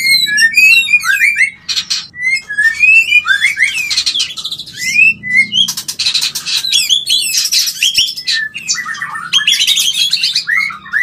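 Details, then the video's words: White-rumped shama mating call, used to bring birds into breeding condition and stimulate mating: a dense, fast stream of varied whistles, chirps and rising and falling slurred notes, almost continuous, over a low steady hum. "Bikin Birahi dan Kawin Murai - Suara Panggilan Kawin yang Paling di Suka Murai"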